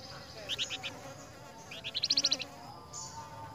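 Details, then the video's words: Flamboyan replying to another flamboyan: three or four separate sharp notes, then a quick rising trill of about eight buzzy notes, followed by a brief high note. "FLAMBOYAN NYAUT BUNYI DENGAN SUARA FLAMBOYAN LAIN"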